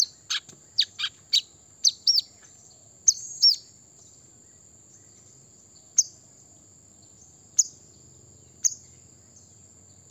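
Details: Brown-throated sunbird song for calling out rivals: an opening flurry of high chirps and downward slurs, then only a few scattered sharp notes spaced seconds apart, with a thin constant high tone behind.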